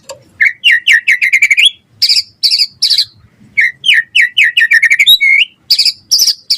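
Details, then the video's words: White-rumped shama in lively gacor song for luring and tutoring other birds: quick stuttered runs of repeated chirps alternating with harsh high buzzy notes, and one clear looping whistle. "Suara Murai Batu Gacor cepat RESPON NYAUT buat Pancingan Masteran Burung Murai Biar Gacor Full Isian"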